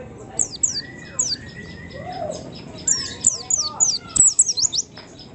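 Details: White-eye song used as a lure to provoke other white-eyes: quick, thin, very high downslurred notes in short bursts, with lower drawn-out whistled phrases alongside and a sharp click near the end.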